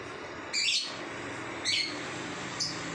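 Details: Lovebird in 'ngacor' song: two strident high chirps about a second apart followed by a fainter short squeak, over continuous low hum.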